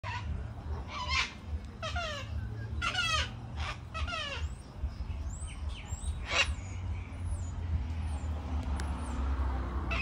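A cockatoo gives harsh, raspy squawks in short bursts over the first half, with thin high chirps later and a low room rumble throughout.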